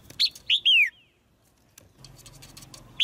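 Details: Caged female white-eye chirping to stimulate a male's louder song: a quick high note, then two descending slurred chirps, followed by a pause and faint low hum.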